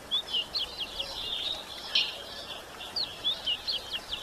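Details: Calls of a female yellow-bellied seedeater meant to stimulate males: thin, high, slurred chirps repeated rapidly, a short harsh buzzy note near the middle, then more quick chirps, with soft constant hiss behind.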